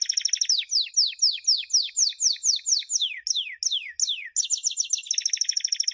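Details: Champion canary song for training chicks: a string of roughly a dozen swooping downward whistles repeated about twice per second, ending in fast high trills.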